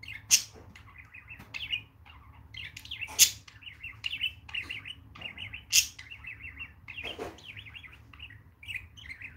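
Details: Pet budgerigars, a male and a female, mother and young, kept at home; soft warbling chatter of rapid chirps and twittering notes in repeated bursts, with a few loud sharp clicks or taps in between.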